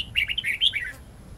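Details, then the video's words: Red-whiskered bulbul in wild-voice song, meant as a tutor for young bulbuls: a fast chain of whistled, twisting notes lasting under a second, loud and clear, then quiet hiss. "Chào mào hót giọng rừng âm dài xoắn cực hay/Dùng luyện chào mào non,má trắng học giọng rừng"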